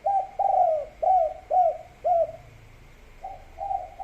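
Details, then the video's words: Spotted dove (tekukur) giving a three-note-rhythm cooing call used as a lure and training audio: soft, low coos, five in quick succession about twice a second, then a pause and two more, over a faint steady electrical hum. "Derkuku's Gacor Calls"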